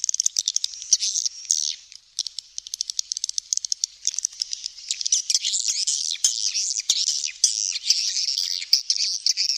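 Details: Swiftlet calls: dense, high chirping twitters run throughout, broken by sharp rapid clicks and short rattling bursts, with a brief pause near two seconds.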